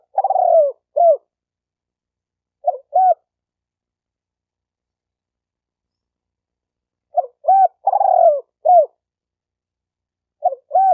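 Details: Cooing of a spotted dove in two-note and rolling phrases, separated by long silent gaps. The soft, mid-pitched coos repeat about every four to five seconds.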